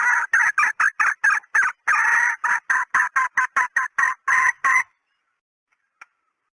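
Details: Female red junglefowl call used as a hunting decoy: a rapid series of about seventeen loud, harsh clucks in quick irregular succession over five seconds, then silence with one faint click.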